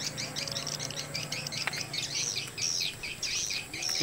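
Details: Swiftlets chatter in dense, high, rapid twittering without a break, a lure-call test in Gorontalo as birds arrive from all directions; a low hum and a brief voice sit underneath.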